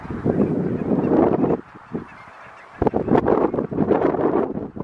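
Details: A very large foraging flock of barnacle geese in Zeeland, Netherlands, on 8 February 2022, yapping continuously in short, high, dog-like barks, with a brief lull in the middle before the chorus resumes.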